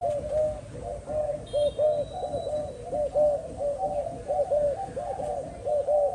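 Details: Captive spotted dove giving a steady run of soft, low cooing notes, each a short rounded hoot, repeated in close succession for about six seconds.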